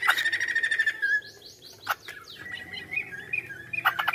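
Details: Chinese hwamei: a fast repeated-note phrase, then a run of descending high whistles and a softer wavering, warbled tone against a faint background hiss.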